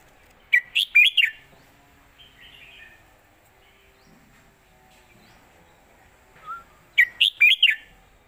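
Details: Red-whiskered bulbul singing an old southern Thai master song style, 'jok kwik khwai yo', used for teaching birds: two bright whistled phrases of four quick rising-falling notes, separated by a long pause with a soft note.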